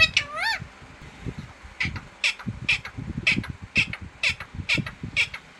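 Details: Green parrot calling: two rising, whistled harmonic notes open, then harsh, scratchy squawks repeated about twice a second, with low thumps and room noise underneath.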